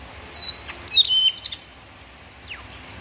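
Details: {'caption': 'White-rumped shama song: a long level whistle, then a louder slurred whistle sliding down and holding steady, followed by scattered short high notes against a quiet background.'}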